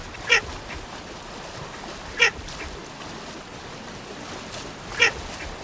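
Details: Baer's pochard giving three short, harsh, nasal duck-like notes, spaced about two to three seconds apart, each a brief rasping burst over a steady background hiss.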